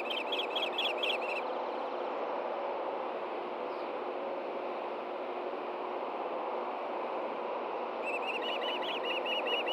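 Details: Nest-camera recording of ospreys in Hellgate Canyon, Montana, 9 AM, June 6, 2014, during a fish handover between mates; a brief burst of sharp repeated whistled chirps, a long gap of steady rushing noise, then another excited chirping series.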